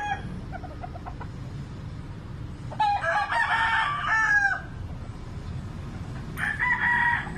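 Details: Rooster crowing, a sound heard mostly in the morning: faint distant crowing at the start, then a loud drawn-out crow falling at its close, followed by another crow beginning from a second bird.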